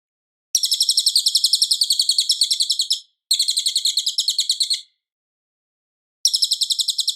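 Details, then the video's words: Cililin singing steadily as tutor audio for a white-rumped shama: three high, rapid, chattering trills separated by short silences, each trill a fast rhythmic series of buzzy notes. "suara Cililin Gacor jernih keras berjeda 10 detik"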